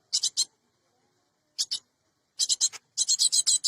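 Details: Cinereous tit recorded as a lure for trapping birds: brief harsh, scratchy high notes in bursts, first three, then two after a pause, then quicker runs of four and six notes.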